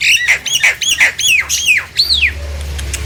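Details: Nias hill myna song meant to trigger silent mynas to sing: a run of loud, downward-sweeping whistled squawks about three per second, ending in a long falling whistle, then low humming background.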